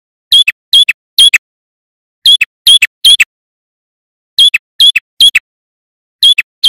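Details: Male prinia, its song used as a lure for trapping wild birds: loud, clean bursts of two or three sharp, high squeaky chips, the first with a bright whistled stroke, repeated in quick groups of three with short pauses between groups.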